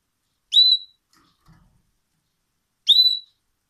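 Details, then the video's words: A pet canary named Lili sings two short, bright whistled notes with a slight downward slur, about two and a half seconds apart, in a quiet room. "Mój kanarek Lili śpiewa!!!"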